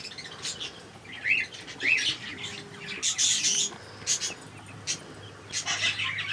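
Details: A grey cockatiel gives short rising chirps and harsher squawky calls, with bursts of wing flapping.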